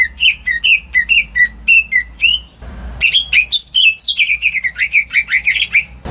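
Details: Greater green leafbird kept at home, its song played to coax silent birds into singing; a run of evenly spaced whistles, a brief noisy rustle, then rapid, varied, twisting whistled phrases.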